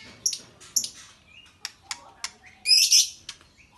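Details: Young albino white-rumped shama giving a series of sharp, high chirps and clicks spaced roughly half a second apart, a soft brief whistle in between, then a loud harsh rasping burst near the end.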